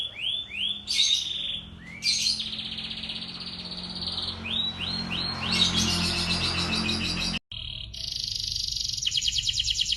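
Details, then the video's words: Canary song in a tutor set for young canaries: arched whistles, long buzzy rolls and harsh bursts, then a break, then a steady fast high trill. "KUMPULAN SUARA BURUNG KENARI GACOR (MASTERAN KENARI ANAKAN)"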